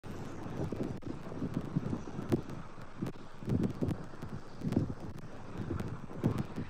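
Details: Gusty wind buffeting the microphone and rustling, with dull irregular thumps and no animal voice.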